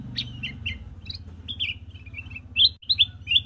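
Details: Black-crested bulbul chirping: a rapid run of short, bright chirps and slurred whistled notes, some dipping, some rising, repeated almost without pause, over a steady low hum.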